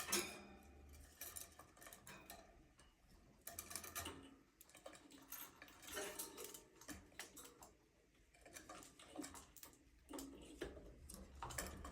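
Irregular clicks, taps and clattering like dishes and cutlery over low background hum, with no clear bird calls.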